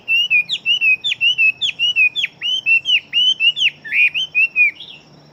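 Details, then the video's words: Chinese hwamei bred for fighting, singing fast: roughly twenty short whistled notes repeated steadily at an even rhythm, each a bright slurred phrase, ending on a higher upturned note. "Họa Mi Chiến Siêu Mau Mỏ Bộ To Hót Tốt Mẫu Gột Chiến."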